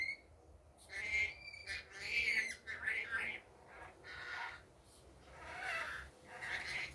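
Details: Pet rainbow lorikeet in the daytime giving harsh, screechy squawks in uneven bursts, about one a second, some shrill and rasping, in a quiet indoor room.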